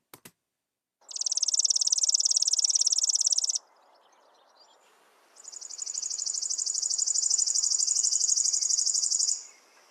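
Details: Chipping Sparrow, a summer nester, sings two long, dry, even trills of rapid, identical high chips, each about three seconds, over a faint low room hum.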